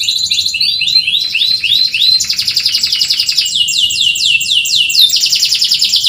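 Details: Energetic canary singing meant to coax and train reluctant singers: runs of quick repeated rising chirps, then fast buzzy rattles and sweeping trills, each phrase changing after one to two seconds.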